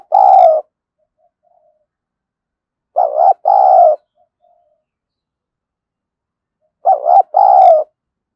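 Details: Spotted dove kept as a decoy to lure wild doves, in the 'giọng thổ sấm' voice style. Each low, hollow cooing phrase is a short note and then a longer drawn-out coo, repeated about every four seconds with silence between.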